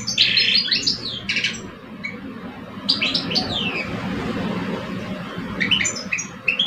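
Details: Caged male goldfinches in an Algerian song duel, an older bird against a two-year-old; short twittering bursts with long quiet gaps, a steady low hum throughout.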